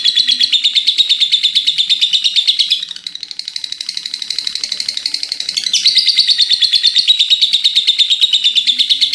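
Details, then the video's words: Sustained ngekek chatter from a lovebird in good voice: fast, buzzy, high-pitched pulses stream on without pause. There is a quieter stretch partway through before the loud rattle returns. "Love Bird gacor ngekeek panjang"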